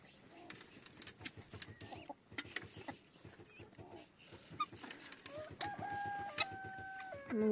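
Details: Chickens at a bird rehabilitation centre cluck in short, irregular bursts during feeding, under a woman's talking, with a drawn-out level call near the end and feeding clatter.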